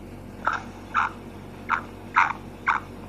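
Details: Female black francolin (kala teetar) calling: five short, husky mid-pitched notes spaced about half a second apart, each a brief rasping burst, over a quiet steady hum.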